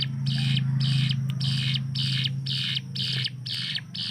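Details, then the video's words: Caged hill prinia used as a master bird, its song said to fire like an AK-47. Grating buzzy bursts come just over twice a second over a loud steady low hum. "CIBLEK GUNUNG || Melatih Speed dan Tembak Burung Gacoan"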